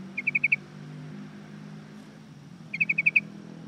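Yellow-vented bulbul giving two quick bursts of five bright, even chirps, about two seconds apart, over a low background hum of traffic.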